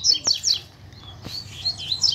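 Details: Double-collared seedeaters in the wild bush, where a chick was heard calling; sharp, high descending chirps in quick succession, followed by a looser string of thin twittering notes, with a few dull knocks.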